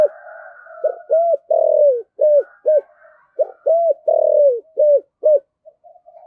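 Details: Lure spotted dove giving its thổ sấm style call: a series of low, hollow coos, short arched notes alternating with longer down-slurred ones, about ten coos in quick succession with brief gaps.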